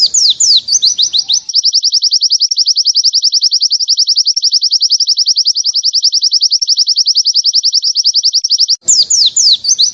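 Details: Oriental white-eye tutoring song, long and clear, used to teach other birds: a rapid, very regular trill of high ringing notes, about three per second, framed by brief jumbled chattering phrases at start and end.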